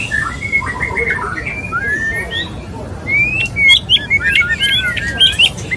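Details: White-rumped shama male calling to court a female: a softer warbling opening, then a bright rising whistle and a series of clipped, emphatic whistled notes with faint clicks.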